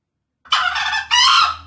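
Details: Characteristic crow of a male green junglefowl, a coarse, buzzy two-note phrase with a long raspy opening and a brief gap before a strong second syllable, over a faint low hum.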